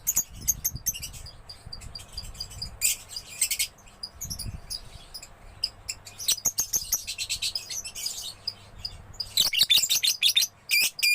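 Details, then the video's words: Young lovebird in full gacor song: scattered sharp ticks and chirps, then loud harsh bursts of chatter, a quieter stretch of clicks, and a final busy flurry of screechy, trilled notes. "Love Bird Gacor anakan"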